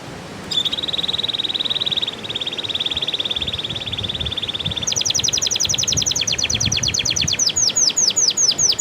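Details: Canary song used to prompt canaries that stopped singing or finished moulting: a long, steady trilled tone, then a fast run of sharp repeated notes that slows into spaced, descending chips; faint background hiss.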